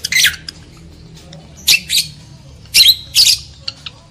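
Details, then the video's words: Lovebird calls played to arouse breeding desire in males and females: harsh, broadband squawks in short bursts about a second apart, with sharp high chips between, over a faint low hum indoors. "AUDIO PANCINGAN UNTUK MENAIKAN BIRAHI EMOSI JANTAN DAN JEBOL BIRAHI LOVEBIRD BETINA"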